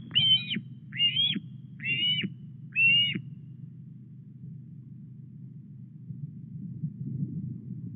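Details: Osprey at a nest at Llyn Clywedog, Wales, on a 17 August evening, delivering a fish: four high, whistled, rising calls about one per second, then only low rumbling nest-camera noise.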